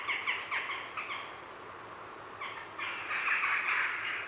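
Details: Close afternoon recording at a grey heron colony: a few sharp harsh notes, a pause, then a sustained rasping, clattering chorus, with jackdaws and a blue tit in the background.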